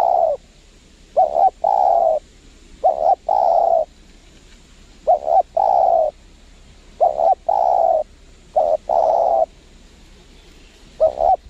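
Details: Wild spotted dove answering a lure bird during trapping in windy Lombok, where the bird is cautious and not aggressive: low, mellow cooing phrases, each a quick double note then a long drawn coo, repeated about every two seconds.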